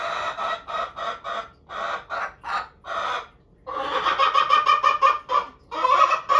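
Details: Pet Araucana hens demanding a walk as the owner walks past their coop: loud, hoarse, evenly spaced squawks, first in slower pulses, then a faster insistent burst of repeated notes.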